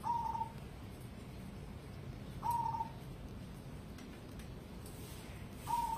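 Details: Competition-grade cemani zebra dove (perkutut) giving short, soft mid-pitched coos, three spaced about two and a half seconds apart, over a steady low background hum.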